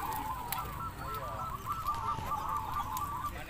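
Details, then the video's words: Many zebra doves singing together at a contest in Mranggen, Demak: an unbroken wash of overlapping purring, rolling coos, with occasional sharp clicks and a low murmur of people behind. "Lomba Perkutut Ngoper Mranggen Demak"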